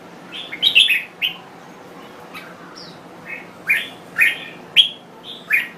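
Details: Song of a Thai red-whiskered bulbul: an opening cluster of sharp warbled notes, a quieter pause with scattered soft chirps, then loud, evenly spaced down-slurred whistles toward the end.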